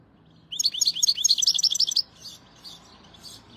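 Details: A rapid series of about ten clear tinkling notes from a European goldfinch, followed by softer trailing twitters.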